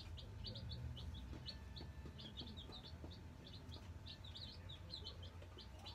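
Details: Nine newly arrived Black Australorp chicks settling in their brooder, giving rapid high peeps in quick overlapping bursts, many per second, over a steady low hum.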